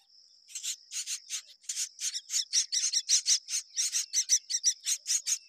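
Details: Myna chicks being fed by their mother, giving rapid, buzzy, high-pitched begging notes repeated about three times a second, steady and insistent over a faint thin whine.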